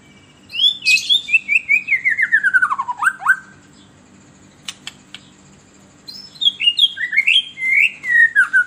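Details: Melodious lure song of a White-rumped shama, used to provoke caged birds: a rapid cascade of whistled notes dropping steadily in pitch, a quiet gap with a few clicks, then another descending run of rich slurred whistles.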